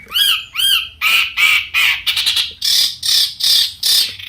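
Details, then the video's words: Long-tailed shrike singing to stir rival shrikes into answering: two wavering whistled notes, then a series of loud, rasping squawks spaced evenly about every third of a second. "cendet gacor Variasi BIANGNYA bikin cendet lain emosi ikutan bunyi langsung NYAUT"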